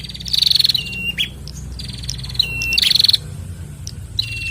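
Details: Bar-winged prinia male and female in captivity exchanging song: two strong pulsed trills, each followed by a long flat whistle, with single sharp chips between them.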